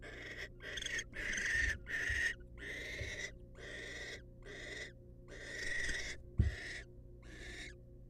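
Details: Wild female barn owl in a monitored nest box, excited by the male's presence: harsh, breathy hissing screeches, each about half a second long, repeated roughly once a second in an uneven series, with a few low thumps from the box.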